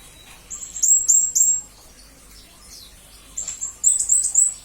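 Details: Serindit, the blue-crowned hanging parrot, recorded as master audio for training murai and kacer: two short clusters of piercing high chirps, three or four notes each, with a quiet gap between.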